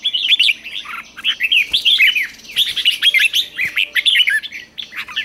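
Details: Morning singing of a caged red-whiskered bulbul under training, a continuous busy stream of sharp whistled chirps and warbles, several overlapping voices suggesting more birds singing together nearby.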